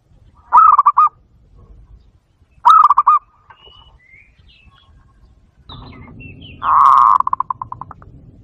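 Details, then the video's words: A Zebra dove call, used to lure doves closer to a trap, gives three bursts of fast, rolling staccato coos, each about half a second. Faint high whistles from another bird and a low hum are also heard. "HUNI NG BATO BATO PARA LUMAPIT"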